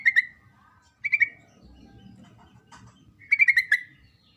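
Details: Sooty-headed bulbul female calling for the male. Three brief, bright bursts of quick notes arrive at the start, after one second and near the end, separated by quiet gaps with faint low rumble.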